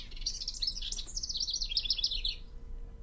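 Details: A male House Wren in spring, stuffing a nest box with sticks, sings at his territory edge to attract a female: a loud, rapid, bubbling, chattery song of tumbling high notes for about two seconds, ending in repeated trills; low background hum.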